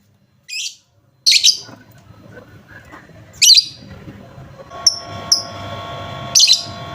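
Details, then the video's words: Lovebird chirps for coaxing a silent lovebird into song: a few sparse bright high chirps and short whistled notes, with a quiet hum in the background. "pancingan Lovebird macet bunyi"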